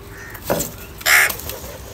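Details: Crow calling amid fighting and cries for food, giving one loud, harsh, drawn-out caw after a fainter earlier note, with rustling and clatter around it.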